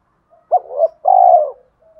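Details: A single spotted dove phrase from a full song said to provoke other doves: two brief rounded coos run together, then one long, steady, throaty coo lasting about half a second.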